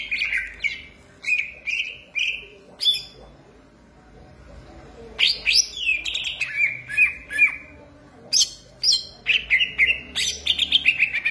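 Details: Greater green leafbird, called cucak ijo, delivering bursts of loud slurred whistles and chatter. A quiet gap of about two seconds separates them from a second burst of rapid repeated notes.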